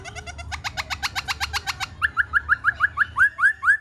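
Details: Black-throated laughingthrush singing while dancing: a fast, even run of rich, buzzy harmonic notes, then a string of clear, rising whistled notes, about three per second, over a low background rumble.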